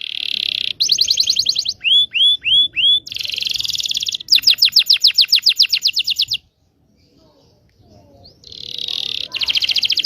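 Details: Canary extended rolling song used to prompt young canaries to learn: buzzy rolls, a few looping slurred notes, a fast pulsed trill, a short quiet break, then renewed rolling trills.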